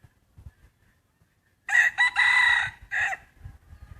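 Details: Rooster crowing while free-ranging, grazing on grass and weeds in hillside farm fields and forest of a Hmong upland area; one loud harmonic crow of about a second, breaking into a short final note, with faint clucks and rustling before and after.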